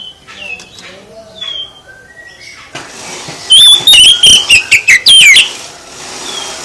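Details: Kacer, the oriental magpie-robin, in song meant to draw replies from other birds: soft thin whistles early on, then a blaring two-second string of quick, slurred whistled notes with dips and upward flicks.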